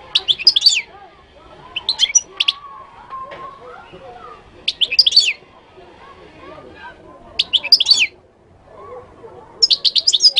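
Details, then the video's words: Moroccan goldfinch singing: bursts of bright, high twittering notes in phrases about a second long, repeated roughly every two to three seconds with quiet gaps, over a soft low background murmur like distant voices. "تغريد الحسون المغربي chant de chardonneret marocain"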